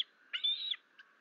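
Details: Male eagle arriving at the Fort St Vrain nest on 28 August 2024, calling before carrying off leftover prey, picked up by the top nest camera: one short bright chirping whistle with a rising-then-level tone, plus a faint later peep.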